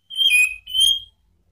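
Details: Orange-headed thrush call used to provoke rivals: two drawn-out, slightly rough whistled notes in quick succession, the first wavering, the second flatter and steady.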